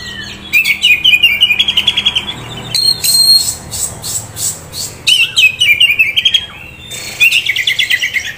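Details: Young Oriental magpie-robin, a contest-prospect bird held by a keeper, delivering rapid chattering series of sharp repeated notes alternating with bright high whistles, in bursts separated by short pauses over a faint low hum.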